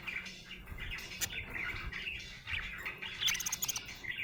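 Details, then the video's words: Budgerigar in a happy mood giving soft, fairly quiet warbled chirps and a few sharp ticking notes, continuous chatter with slight rises and falls. "Happy budgie chirping sound"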